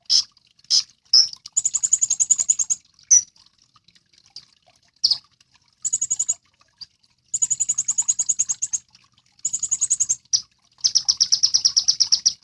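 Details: Sunbird, known locally as kolibri ninja, used to train songbirds. Single sharp, high chips alternate with fast, thin, buzzy trills lasting a second or more, given in repeated bursts.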